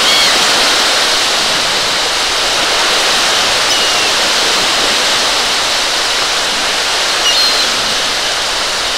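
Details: Loud, continuous rushing roar like surf or strong wind, with no animal calls.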